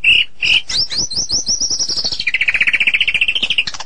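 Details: White-rumped shama song with rapid upslurred high notes accelerating into a fast trill, then a long steady rattle of quickly repeated notes at slightly lower pitch.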